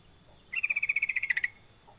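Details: Sooty-headed bulbul call used as a lure to prompt other bulbuls to start calling: a rapid run of about thirteen sharp, even notes over one second, slightly dropping at the end, against a quiet background.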